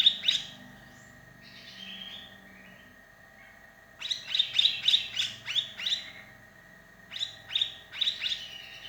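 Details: Lonely sooty-headed bulbul calling to its companions, used as a lure: bursts of quick, bubbly chirping notes in rapid runs with pauses between, over a steady faint background hum.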